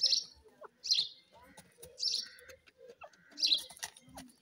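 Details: Iranian francolin (irani teetar) during breeding, kept birds: short bright harsh bursts repeated about once a second, with softer chirps and clicks from other birds in between.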